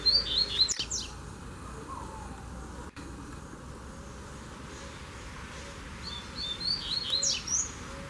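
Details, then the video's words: Double-collared seedeater on a walk outside the cage: a short high twitter opens, then after a long quiet gap another quick run of sharp chirping notes, with a click and steady low hum between. "Passeio Com Coleiro - Coleiro Não Veio Na Gaiola!"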